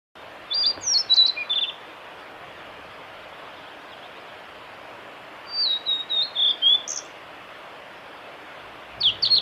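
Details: Male blue-and-white flycatcher singing at Lake Miyagase, Kanazawa forest road, 25 April 2016: clear, high whistled phrases that slur and end in buzzy notes, repeated every few seconds over a steady hiss of stream or wind.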